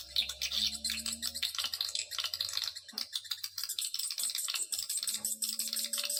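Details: Lure recording of swiftlets: many overlapping shrill, crackling chirps form a constant rattle, with rhythmic pulsing bursts and a quiet low tone in the background.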